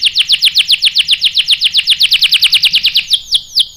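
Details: Canary song used to lure a male into answering: evenly repeated sharp downward-sweeping chirps, roughly seven per second, ending in two slower separate swoops, very clean with no other sounds.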